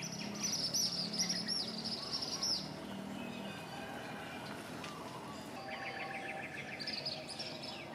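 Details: Asian palm swifts building their nest on a toddy palm leaf in a village in northeastern Thailand; high, thin twittering trills come in quick bursts for the first few seconds, later a lower, rattling trill and a steady background hum.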